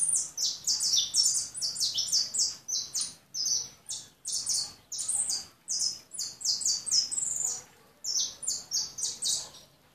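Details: White European goldfinch delivering a long, lively twittering song of high, tinkling and buzzy notes in fast bursts separated by short gaps.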